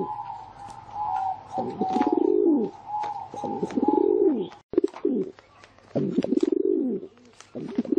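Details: Cooing pigeon: repeated low, burbling coos arching in pitch, roughly one every two seconds, with a thin steady whine running above much of the recording and brief clicks.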